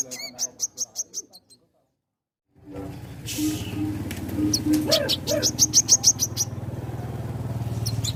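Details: Caged crimson sunbird in vigorous song: quick high pipping notes, a brief silence, then a burst of noise and another rapid series of sharp, high notes over a loud low hum.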